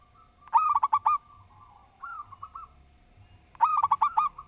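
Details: Zebra dove (local perkutut) in full song with a structured voice: two bursts of rapid ringing coos about three seconds apart, separated by softer, lower trailing coo notes.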